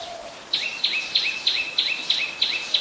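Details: An adult Common Tailorbird, a common resident, gives eight loud, sharp two-part notes, each a high chip dropping to a lower tone, about three a second over faint hiss; Ubon Ratchathani, Thailand, 27 January 2021.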